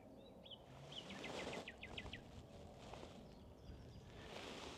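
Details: A common nightingale (Luscinia megarhynchos) singing close by on Minster Marshes near Pegwell Bay, another singing nearby, opens with a short whistled slur, then a quick run of about nine loud repeated notes; wind and rustling leaves hiss underneath.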